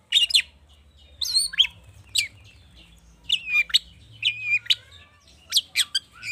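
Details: Excited long-tailed shrike song, used to prompt other birds to sing, carrying rich fill-in phrases: scattered high chirps, rising whistles and scratchy twitters in separate bursts with brief pauses.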